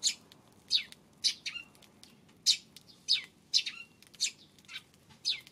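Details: Eurasian tree sparrow chirping on the afternoon of April 25, a steady run of bright, short, slightly downslurred high chirps, about ten in under six seconds, clear against a quiet background.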